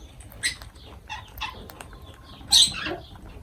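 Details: Lovebirds kept as pets, heard while feeding, give a few sharp high squawks and short chirps separated by brief pauses, with a louder harsh burst near the end.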